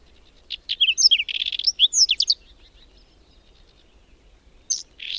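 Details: Whinchat in song during a May blizzard near Domzheritsy, Berezinsky Biosphere Reserve, where several dozen pairs nest. Gives one rapid phrase of mixed sharp notes, rattles and high whistles lasting nearly two seconds, then a short pause and the start of another.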